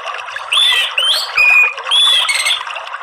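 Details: Orange-headed thrush (anis merah) therapy sound, played to prompt a caged bird to sing: loud, clear whistled phrases, some rising and some falling, in four bursts over three seconds, over a steady hiss.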